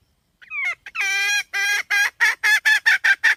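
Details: Hen opening with a few rising squeaky notes and a long drawn nasal tone, then breaking into shorter, harsh clucks that quicken toward the end.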